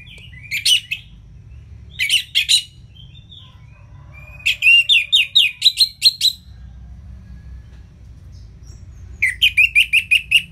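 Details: Ngeplong song of an Orange-headed thrush, used as training material to get reluctant birds singing, in four separate bursts of rapid, sharp, repeated notes, some phrases ending in a tight rattling series, with quiet gaps between.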